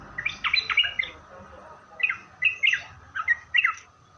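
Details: Yellow-vented bulbul used as a calling lure for other bulbuls, giving spaced, liquid two- and three-note chirps in loose clusters against faint background hiss.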